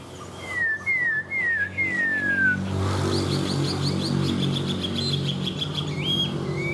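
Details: Caged Chinese hwamei, said to be a tame bird, opening with four falling whistled slurs. Steady engine-like noise and faint rapid chirps follow, and a final rising whistle closes the recording.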